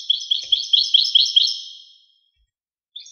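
A European goldfinch gives a quick, bright run of tinkling, high twittered notes, about seven in under two seconds, then a pause before it starts again.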